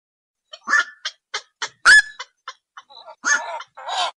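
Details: Night heron calling: a series of short, harsh, croaking notes spaced about a third of a second apart, one louder rasping squawk near the middle, then two longer grating calls at the end. The background is quiet.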